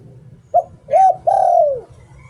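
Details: Decoy spotted dove delivering a single 'liu tan' phrase. A brief coo and a fuller hoot lead into an extended, gently falling final note. Quiet low hum throughout.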